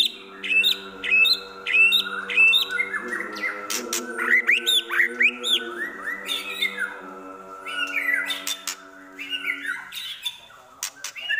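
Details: A captive White-rumped shama pours out a rapid mix of sharp chirps, squawks and slurred whistles, mimicking Prenjak (prinia), Kapas Tembak and an elang (hawk/eagle), over a steady low hum.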